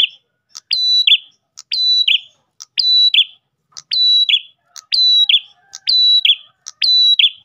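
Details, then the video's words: Repeated Ash tailorbird song for luring other tailorbirds: eight phrases in steady rhythm, each a tick, a held high whistle and a buzzy downward ending. The phrases come slightly faster toward the end, with no other sounds. "PRENJAK GACOR pancingan burung prenjak lain"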